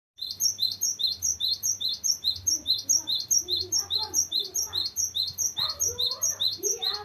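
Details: Cinereous tit in full voice, giving a long, varied rolling song kept for tutoring or luring other birds. High, sharp notes repeat in a steady fast stream, about two to three a second, with softer lower warbling sounds beneath.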